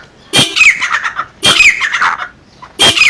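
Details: Female black francolin call used to stir up males: three separate harsh squawks, each opening with a thin high whistle-like tone and dropping into a scratchy trailing rasp, spaced over a second apart.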